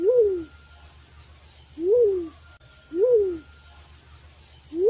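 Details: Bagatan, the black-chinned fruit dove, in a hunting call recording: three deep, hollow coos, each swelling up and sliding down, spaced about one to one and a half seconds apart over a low background hum.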